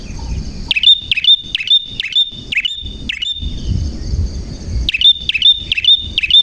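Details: Prenjak in full song, a clear and insistent bird: bright, sharp upslurred chirps in quick runs, a short pause, then another rapid burst of similar notes over faint low background noise.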